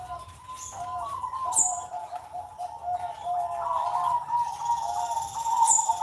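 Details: Caged zebra dove on a Sunday morning, cooing in sustained, mellow, warbling notes that run almost without a break. Brief high chirps from other birds are heard now and then.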